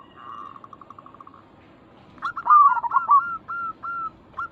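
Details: Local zebra dove song played to prompt other zebra doves to reply: a faint fast trill of soft notes, then a loud rolling coo followed by several separate, ringing staccato notes.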